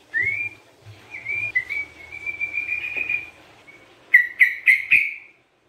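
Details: Lively sooty-headed bulbul song, meant as a lure and therapy for birds: a long run of sweet, wavering whistles, then four quick, sharp, ringing notes in rapid succession; a faint hum runs underneath.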